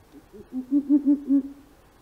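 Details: Long-eared owl from central Russia giving a short series of about five soft, low, evenly spaced hoots over roughly one second, with a fainter lead-in note and a quiet background.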